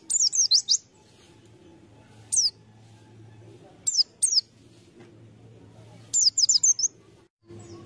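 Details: White-eye kept as a lure bird gives scattered high, thin chirps and short twittering runs between quiet gaps, over a faint low hum.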